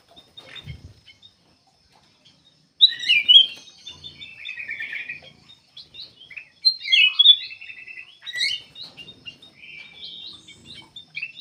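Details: Black-capped bulbul singing actively, a recording used as a lure to set other birds singing. Chirpy, varied song of quick whistled and trilled notes. A long silence comes first, then bursts and short rattling runs.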